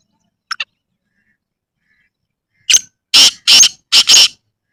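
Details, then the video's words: Black francolin (kala teetar) in a natural village setting: a brief soft double chip, then after a pause a loud, rasping call of five harsh notes, the final two nearly joined. Quiet background. "Kala Teetar Ki Awaz | Black Francolin Voice"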